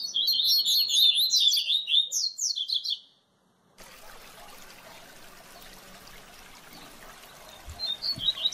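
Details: Coleiro, or double-collared seedeater, singing tutor song for teaching young birds: three seconds of fast, high, twittering notes repeated about twice a second, then an abrupt cut to steady background hiss with a few faint chirps near the end.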